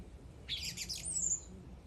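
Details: A bird gives a brief, harsh, noisy chirp followed by a thin, high, gliding whistle, in a quiet setting.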